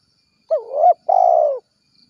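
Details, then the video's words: Spotted dove (tekukur) in the lively 'kuk 1' calling style, calling its companions: a low two-part coo, a bending hooted note followed by a longer, steady, slightly falling purring coo, on a quiet background. "suara tekukur gacor kuk 1"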